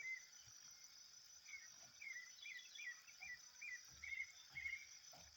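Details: A thrush (sabiá) singing out in nature: a faint, loose run of short whistled notes that rise and fall, some slurred downward, set against a steady loud hiss of insects.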